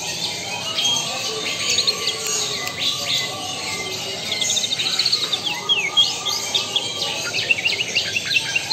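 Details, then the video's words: A white-rumped shama, Lampung Super type, pours out varied high chirps, quick slurred whistles and short trills, growing denser and louder after the midpoint, over continuous background hiss. "Murai batu Lampung Super"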